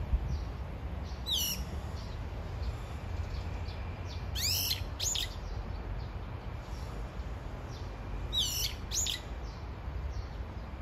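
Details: Brown-eared bulbul calling for its mate: several separate bouts of high, down-slurred squeaky notes, each bout made of two or three calls, over a steady low rumble of background noise.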